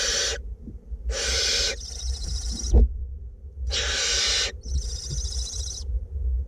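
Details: Two barn owlets being fed inside a nest box in north Glasgow; loud breathy hissing screeches about a second long, roughly one every one and a half seconds, some harsher than others, over low rumble.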